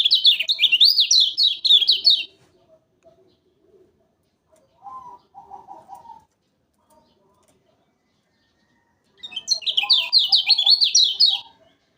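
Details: Lombok lemon-bellied white-eye lure recording: two rapid bursts of high, zigzagging whistled notes, each about two seconds long, separated by quieter, lower warbled phrases and silence.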